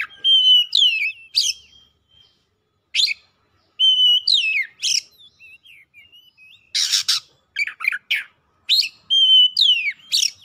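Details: Agitated, strongly singing Oriental magpie-robin: repeated rising-then-falling whistles broken by sharp upward sweeps, followed by a cluster of rough, scratchy notes and more clear whistles.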